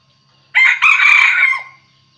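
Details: Red junglefowl decoy rooster crowing to provoke and lure wild roosters, a voice style known locally as thổ, đồng or ực ờ. One loud, harsh, broken crow of about one second with a brief gap early on, in otherwise quiet surroundings.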